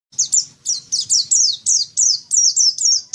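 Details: White-eye (pleci) singing in the dakun style: a string of high, sharp chirps, each sliding steeply downward, repeated about three times a second without pause.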